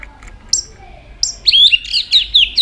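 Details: Varied singing from a white-rumped shama flicking its tail: a couple of thin high notes, then a quick, bright sequence of high whistled twists.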